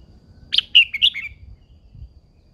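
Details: Old wild-caught caged female red-whiskered bulbul egging males on, with one loud, quick phrase of five bright, descending slurred chirps in a quiet setting.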